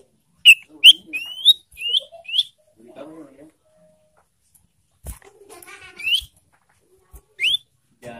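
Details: Ashy tailorbird calling as a lure to provoke breeding-condition birds: a run of five sharp rising notes, a pause with soft chatter, then single upslurred notes, spaced irregularly.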